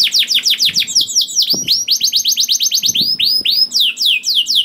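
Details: Lively canary song used to stir other canaries, made of rapid rolling trills of curved whistled notes alternating with slower spaced phrases, with faint low knocks behind.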